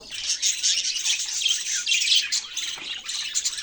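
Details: Budgerigar chirping: a dense, unbroken stream of high, scratchy chatter and squawky notes that runs steadily without pause for the whole stretch.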